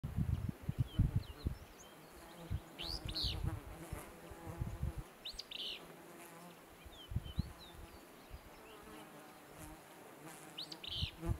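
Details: At Pearl Lake, Montana, on 30 July 2020, a Willow Flycatcher sings a sneezy, burry two-part "fitz-bew" about every three to four seconds, over a steady low rumble and the buzzing of many flies.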